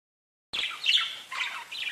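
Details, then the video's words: Parakeets chirping to each other: after half a second of silence, a burst of high, warbling chirps and squeaky notes, with several short bright phrases that rise and fall. "Parakeets Bird Chirping and talking to each other"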